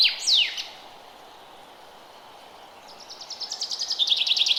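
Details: Forest bird chirping in early spring: two quick, high, downward-sweeping whistles open, then a pause, then a rapid run of sharp high chirps that grows steadily louder over faint background hiss.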